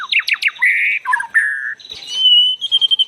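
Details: White-rumped shama lure song: varied phrases of clear whistles, steep downslurred notes, a buzzy sustained band, then a long steady high whistle and a quick run of short repeated high notes.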